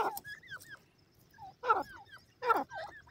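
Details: Francolin (teetar) giving rough, harsh bursts roughly once a second, each followed by short hooked, whistled notes that rise and then fall.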